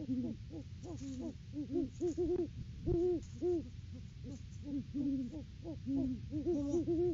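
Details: Great Horned Owls, a mated pair, duetting at their nest tree in early December outside the breeding season; dense, quick run of deep overlapping hoots, two pitches alternating throughout, with low background noise.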